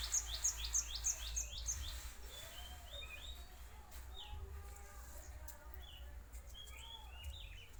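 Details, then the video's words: Cinereous tit song played as a lure for other tits: a quick run of about six bright, high, sharply repeated notes for two seconds, then scattered thinner chirps and short slurred whistles over steady low background hum. "Kicau glatik batu ampuh buat pancingan glatik bahan"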